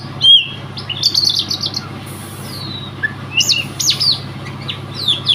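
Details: Unbeaten provincial-level contest bird from Riau, an Oriental magpie-robin, opens with a sharp note, then a rapid buzzy repeated series, a thin descending whistle and loud high slurred calls, steady hum behind.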